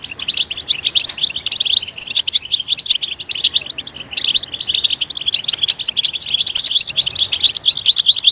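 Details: European goldfinch song meant to encourage goldfinches to sing, made of bright, quickly repeated tinkling notes in bursts, with a quieter gap around four seconds before a lively, dense run.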